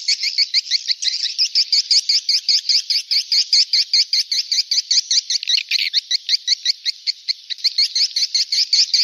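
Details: Swiftlet calls played to attract swiftlets: an unbroken stream of high, fast pulsed chirps, about two or three per second, each with a bright upper note and a lower echo.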